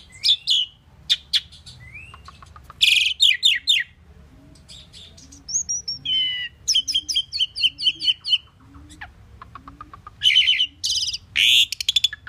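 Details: A common pied myna sings a long varied medley: harsh broadband chatters, rising squeaks, clear whistled slurs and rapid clicking runs, with a soft repeated low note in the background.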